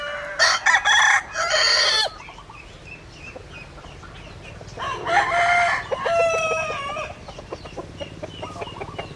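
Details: Two rooster crows several seconds apart. Each is a loud, harsh phrase broken into segments. Softer calls and background noise fill the gap between them.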